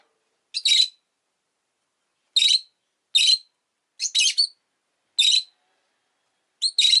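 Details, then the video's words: Two pet rosy-faced lovebirds gathered at an entrance produce a series of six harsh, scratchy chirps at uneven intervals, some doubled into quick stuttering pairs. "Lovebird Chirping Sounds"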